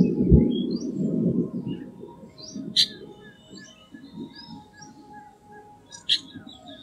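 Chestnut-tailed starling giving scattered squeaky, chattering notes at middle to high pitch, with two sharp high bursts, over a low rumbling background.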